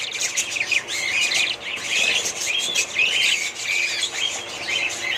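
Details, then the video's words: Several budgerigars in a family group keep up a dense warbling chatter, with quick chirps and short squawky notes overlapping throughout. "ali family budgies parrots"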